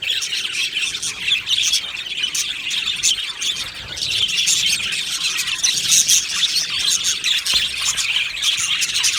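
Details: Crowded budgerigar aviary, overlapping chirps and rasping squawks from numerous birds, the chatter swelling slightly louder in the second half.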